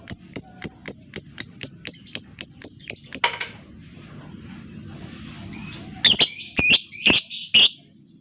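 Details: Lovebird lure to get quiet birds singing: a fast run of sharp high ticks for about three seconds, a noisy pause, then several loud harsh squawky chirps.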